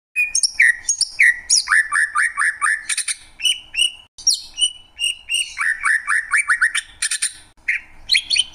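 A greater green leafbird sings a fast, varied stream of downslurred whistles and sharp high chips, about four phrases a second, with brief pauses between bursts.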